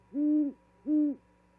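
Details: On 13 February 2022 in Charlo, Montana, an owl arriving with a vole for its mate gives two evenly spaced, low, level hoots, each about a third of a second long, against a quiet background.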